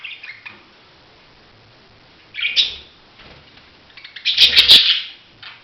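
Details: Budgerigar giving bright chirps around the upper-middle pitch range: a short chatter, a louder burst near the middle, then a dense scratchy run of chirps with sharp clicks toward the end.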